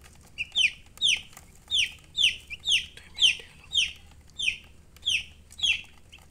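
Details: Young chicks calling with a steady series of shrill, falling peeps, about two per second, a few softer notes between the loud ones, little else audible.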